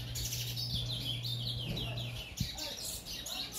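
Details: White-throated full brown bullfinch, kept caged for three days, uttering quick, repeated downward-sweeping chirps, about two a second, bright and high, with a continuous low mains hum beneath.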